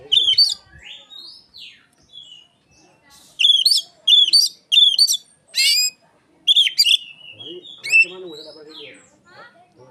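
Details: Oriental magpie-robin song imitating Asian pied starling, used as a lure for other magpie-robins: soft sliding whistles, then loud bursts of rich, harsh, chattering notes repeated in quick groups, with quieter rising and falling whistles between them.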